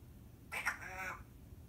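A Timneh African grey parrot speaks one short word in a clear, human-like voice, lasting under a second, against a faint low hum.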